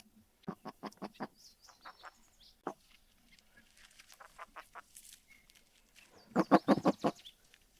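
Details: Gunnison Sage-Grouse: bursts of rapid, harsh pulsed notes, a run of five near the start and a louder cluster of about six near the end, with quieter scattered clicks and soft notes between.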